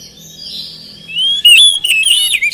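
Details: Oriental magpie-robin lure song to encourage silent birds to respond; soft slurred warbling builds into loud, swooping whistled phrases with a faint hum underneath.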